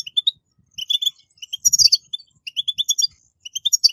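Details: Captive-training 'batbata' song of a European goldfinch: sparkling high chirps in short clusters with gaps between them, one louder jangling flourish midway, and faint low tapping sounds.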